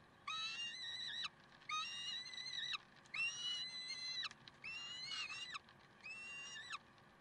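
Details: At Karlsruhe on 30 May 2010, 6:56, Peregrine falcons give five evenly spaced harsh wails. Each is nearly a second long, with a rising start and a drooping end, separated by short quiet gaps.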